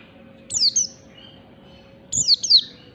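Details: Oriental white-eye, a wild forest bird, used as a lure sound: two high, thin, sharply descending paired chirps about 1.5 seconds apart over faint steady background hum.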